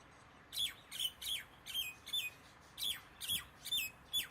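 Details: Common myna calling in a steady series of harsh, squawky notes, each a sharp high chirp sliding downward, about nine calls in four seconds with short gaps between them, over a quiet background.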